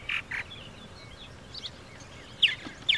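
Purple martin giving a handful of brief, throaty chirps and sharper high notes, spaced irregularly over a few seconds against a faint outdoor hiss.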